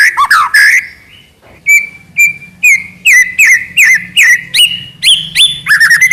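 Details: White-rumped shama in lively trotol song, opening with tumbling slurred whistles and then delivering crisp whistled notes repeated roughly every half second, closing with a quick chattering flourish.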